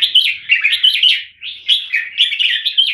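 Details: Red-whiskered bulbul (jambul) from Singapore, kept as a cage bird, delivering clear 'keke' song: lively, fluty whistled notes in tight clusters, two phrases split by a short gap.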